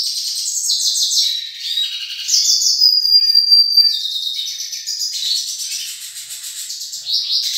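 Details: A pair of yellow-faced siskins (Spinus yarrellii), where one sings a high, rapid twittering song of buzzy trills and thin whistled notes, phrases running almost without pause.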